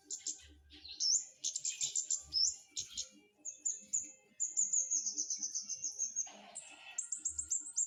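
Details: Flowerpecker singing energetically: rapid high, thin ticking phrases, then a long run of buzzy high pulsed notes drifting slightly downward, ending in more quick high chips.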